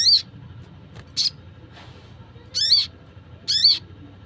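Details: Wild sogon (sunbird) calls, used to lure wild sunbirds: four short, sharp, very high chipping notes spaced irregularly over four seconds, each with a brief downward tail, over steady low background hum.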